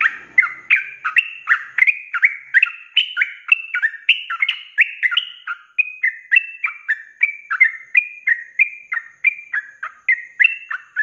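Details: Sooty-headed bulbul, lively 'ropelan' style song meant for tutoring cage birds: a dense, nonstop stream of chattering slurred whistles, roughly three phrases a second, pitch shifting slightly between phrases, no other sounds.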